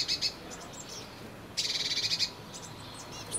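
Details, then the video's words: Blue tit at its nest box in May 2020, giving a short burst of fast, buzzy, stuttering high notes after a brief chirp, against quiet background hiss. "Blaumeisen am Nistkasten"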